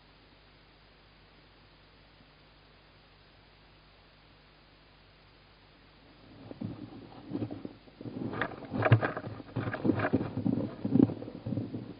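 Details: Six seconds of near silence give way to irregular low thumps, scrapes and rustling, with no clear animal call.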